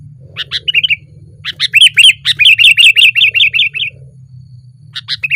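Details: Sooty-headed bulbul singing loudly from a branch: a lively run of clear, bright notes repeated rapidly, several to a second, with brief breaks and a low steady hum underneath.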